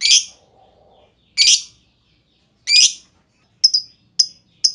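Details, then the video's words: Lovebird used as a lure to get other lovebirds singing, giving three harsh, broad chirps about 1.3 seconds apart, then a few short, sharp high notes, with a faint low hum in the background. "Auto Bikin Gacor Burung Lovebird Lain Dengan Pancingan LB Ngetik Lanjut Ngekek Panjang"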